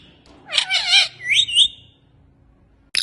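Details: Indian ringneck parakeet, a pet talking parrot, lets out a rough, noisy squawk followed by a short shrill whistled pair, then quiet apart from a faint low room hum and a closing click.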